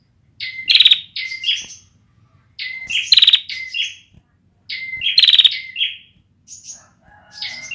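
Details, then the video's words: Young bar-winged prinia with a song not yet fully developed: loud phrases of thin whistles near two to four kilohertz mixed with buzzy rattling notes, repeated in three bursts separated by short pauses. "suara burung ciblek belum jadi"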